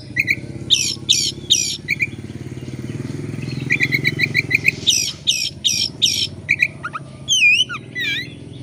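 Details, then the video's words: Caged-style Oriental magpie-robin lure song: repeated rasping buzzy notes alternating with short whistles, ending in looping high sliding whistles, over a steady low hum. "Kacer gacor buka ekor pancingan kacer gacor langsung on"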